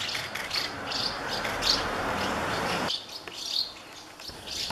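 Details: Begging House martin chicks in a colony of thirty nests as adults bring food: high chirps pulse steadily over a rushing background hiss that cuts off near three seconds, leaving sparser twitters.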